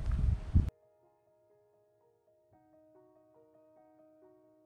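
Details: A brief rustling burst gives way to soft, sustained musical notes, with no animal calls.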